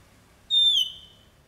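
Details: Jalak uret starling singing energetically: a single loud, clear whistled note that starts high, slides downward and trails off, with faint background hum.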